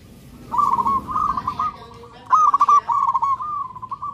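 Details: Local zebra dove singing while seeking a mate, a loud, clear decoy song: two rolling phrases of quick trilled coos, steady in pitch. Each phrase lasts under two seconds, with a short pause between them.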